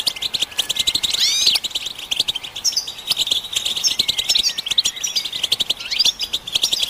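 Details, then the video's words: European goldfinches in a group song said to show mating readiness and rouse males to sing; dense tinkling twitter with a prominent curling whistled phrase early on, continuing as a busy high chorus. "بتبتة الحسون تحفيز الحسون على التغريد والهيجان علاج صمت الحسون goldfinch stimulation"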